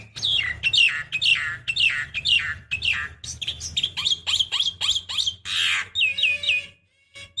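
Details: Decoy recording of a female Javan myna calling a male: dense chattering of harsh, slurred notes about twice a second, broken by a loud raspy burst and quick high whistles before a brief pause.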